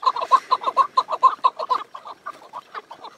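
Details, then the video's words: A chukar partridge gives a rapid run of harsh, clucking chuck notes, about eight per second, loud at first and then trailing off into softer, uneven notes. "Keklik Sesi Yürek Hoplatıyor"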